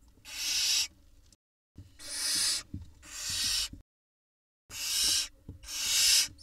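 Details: Barn owl chicks in a camera-watched nest in Israel, June 2021, begging while the female delivers a mouse, which one nestling gulps down quickly; four harsh, breathy snoring hisses in two pairs, with faint knocks and scraping between.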